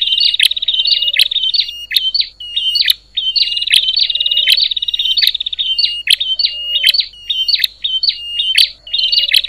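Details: Repeated noisy calling of a bar-winged prinia that rouses other prinias, bouts of harsh buzzy rattles alternating with clipped paired chips, each bout marked by sharp clicking accents and a faint low hum.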